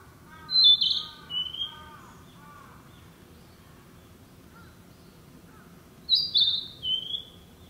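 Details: In woodland, a breeding summer Narcissus flycatcher gives two bright, high whistled phrases several seconds apart. Between them come lower, harsher repeated notes from another bird, over a faint low hum.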